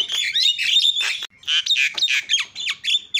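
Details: Javan myna uttering strong rasping squawks and squeals, used to make other mynas call; a short break, then further harsh, scratchy bursts.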